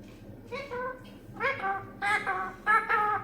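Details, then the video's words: Pet green parrot talking, reportedly saying "Allah" and that guests have come; several short bursts of harmonic, voice-like syllables, growing louder toward the end. "আল্লাহ বলছে মিঠু টিটু দেখেন কুটুম আইছে বলছে"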